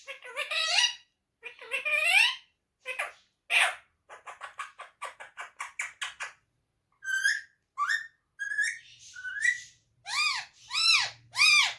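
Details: Pet parrot talking in Urdu/Hindi, repeating short phrases: clusters of harmonic, voice-like syllables in quick bursts, then a run of three loud arched, rising-falling notes at the end; quiet indoor setting.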